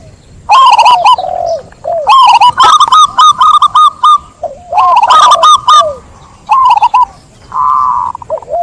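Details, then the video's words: Zebra dove singing repeated bursts of staccato, clicking coo notes in quick series, interspersed with lower falling and wavering coos, phrases following one another rapidly. "Suara burung perkutut"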